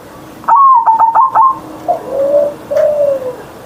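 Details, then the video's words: Caged pet zebra dove in full morning song, Ngerot style with a loud voice: rapid choppy opening notes, then a pause and two drawn-out mellow coos sliding downward, with a faint click in the background. "Perkutut Manggung Gacor Suara Besar"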